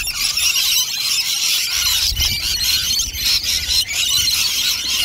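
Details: A flock of rainbow lorikeets feeding on dishes of nectar at lunchtime, filling the air with a dense, continuous chorus of shrill, high squealing and screeching calls with no pauses.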